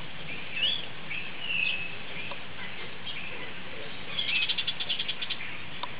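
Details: A grey parrot at Opole Zoo gives two short whistled notes, then a quick run of about eight clipped, chirping pulses, over a steady low background rumble.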